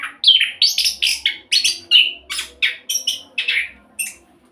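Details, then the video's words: Rapid rolling song of an orange-headed thrush meant to prompt other birds to sing, with loud sweeping notes and slurred whistles repeated about every half second in a steady, energetic stream. "Anis Kembang Roll Cocok buat Pancingan agar cepat bunyi"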